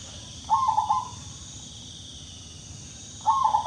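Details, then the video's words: Zebra dove kept as a cage bird, known as Bangkok perkutut, played to prompt birds that rarely sing; two short bursts of low warbled cooing separated by a long pause over steady background hiss. "MENGATASI PERKUTUT BANGKOK YANG JARANG BUNYI"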